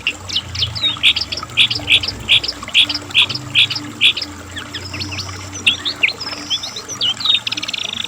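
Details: Asian brown flycatcher in full, lively song, recorded for tutoring and luring pet birds: a run of sharp, high, evenly spaced chirps, then varied thin whistles and twitters, with a faint low hum beneath.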